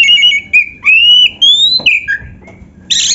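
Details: White-rumped shama delivering long clear whistled notes that slide upward, then a short lower whistle and a closing burst of harsh chatter.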